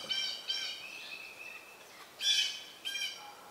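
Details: Red-shouldered Hawk nest: young near fledging while an adult delivers a snake and swallows it whole. Rasping, harmonic squawks, a long fading wail, then two loud harsh bursts near the end.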